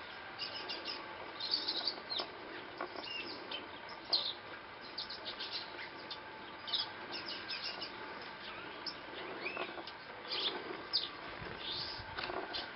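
Violaceous euphonia singing a busy, rambling run of quick chirps, twitters and short high notes, nearly continuous throughout, over a light background hiss.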